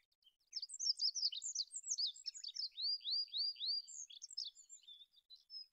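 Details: Olive-backed pipit (Anthus hodgsoni) song, a continuous stream of thin high twitters, trills and a run of repeated down-slurred whistles, rapid and varied throughout.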